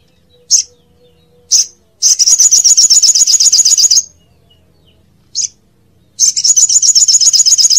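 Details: Olive-backed sunbird (sogok ontong) training song for untamed birds: single sharp high notes separated by silence, then two long dense buzzy trills of very rapid, evenly repeated ticks, about four per second overall.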